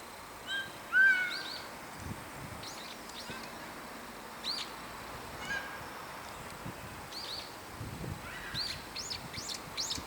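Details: Brown-eared bulbul calling back and forth with other bulbuls high in a tree in a park in winter: one loud, sharp, slightly rising cry near the start, then scattered shrill, high, downward-bending notes from several birds.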